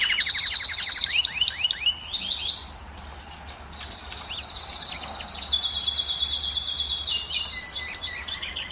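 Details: Canary song to excite hens for breeding: quick rising slurred notes and high tours, a short quieter pause, then renewed fast trilling and bright downward sweeps.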